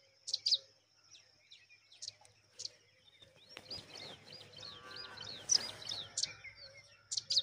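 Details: Rock chat mother watching over her babies: high, clipped chirp notes repeated at intervals, with a stretch of rustling background noise and fainter twittering in the middle.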